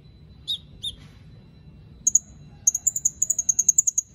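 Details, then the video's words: Captive white-rumped shama from Palu, Central Sulawesi, Indonesia, entered in an online song contest. Two high sharp notes open the clip, then a bright rapid string of thin whistled notes about five per second. "LOMBA KONIN ONLINE 20 - Aksi KONIN"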